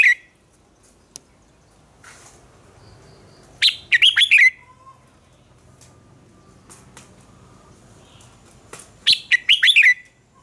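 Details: Red-whiskered bulbul competing in a morning song contest intended to excite rival birds: two loud clusters of quick, warbling whistled notes, separated by about five seconds of near quiet with a few faint clicks.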